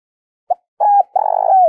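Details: Spotted dove kept as a decoy to provoke wild doves, cooing in a quiet setting. A short low pip leads into a double coo and a long, throbbing, purring phrase that slides down in pitch.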